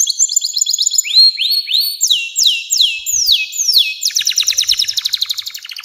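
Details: Long-singing canary used as a tutor for young birds: a series of loud rising then falling whistled slurs, repeated about every half second, ending in a rapid rolling trill.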